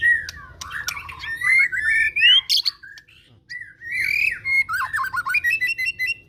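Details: Loud male white-rumped shama singing with its beak open: a harsh, squawky, fast-changing stream of rising and falling notes, rapid chattering runs, a brief pause mid-phrase, then more buzzy repeated notes.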